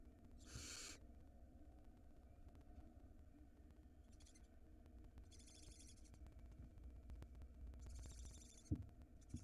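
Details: Nestling barn owl swallowing a rodent as its mother checks outside, nest cam in Israel; a loud rasping hiss, then softer, shorter hisses a few seconds apart, and a sharp knock near the end.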